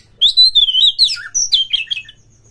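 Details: Oriental magpie-robin, a caged kacer, singing as a lure to stir other kacer into mating mood: loud whistled phrases sliding and warbling, with rising and falling notes and quick twittery flourishes.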